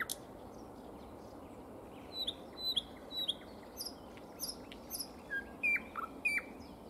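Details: Common nightingale in spring, singing sparse phrases: thin high whistles and sharp downslurred notes spaced about half a second apart, fairly quiet against a steady background hiss.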